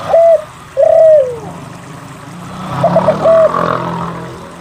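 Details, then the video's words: Spotted dove singing to stir other doves into song. Two long downward-sliding coos come close together, then a few soft stuttered notes and a shorter coo, over a low hum. "SUARA PANCINGAN DERKUKU GACOR UNTUK MALAS BUNYI"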